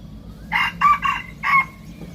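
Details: Young hybrid junglefowl just beginning to learn to crow: a short, broken crow of three or four hoarse, separated syllables over about one second, uneven and unfinished, with a faint low hum behind.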